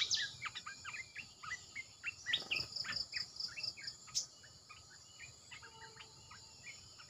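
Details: Red-eyed bulbul used for decoy calling gives scattered short chirps and slurred whistles in a loose series. Insects buzz steadily behind, and a sharp click breaks in midway.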